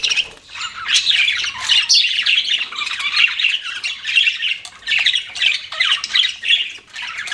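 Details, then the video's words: Several budgies chatter nonstop: warbling, squeaky chirps and scratchy squawks run together in an unbroken, lively stream with slight swells in loudness. "BUDGIES CHIRPING SOUND"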